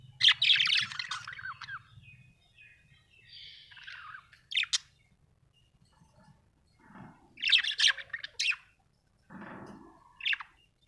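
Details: Budgie in a happy mood chirping in scattered bursts: scratchy warbles, a sliding whistled note and sharp ticks, separated by quiet gaps.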